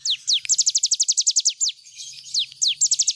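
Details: Full song of a cigun bird kept as a teaching recording for other birds: quick bursts of piercing high downslurred notes, several separate volleys with short gaps and faint rustling between.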